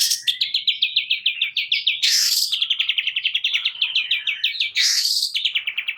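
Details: Long-tailed shrike in full song, meant to provoke reluctant shrikes to sing: a rapid, steady trill of high whistled notes, broken twice by harsh, loud rasping bursts.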